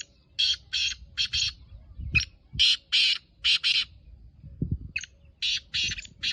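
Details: Home-bred black francolin from Pakistan calling steadily, a long series of loud harsh grating notes in short paired bursts, with occasional low knocks in the background.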